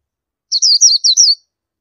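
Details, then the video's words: A single brief run of four linked, high-pitched slurred notes from an Oriental white-eye, thin and wavering, heard in otherwise complete quiet. "Oriental White Eye Bird Call"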